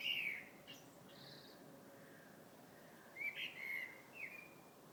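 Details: A bird sings in February: a bright whistled note at the start, a quiet gap, then a short group of sliding whistles, set against a faint constant hiss.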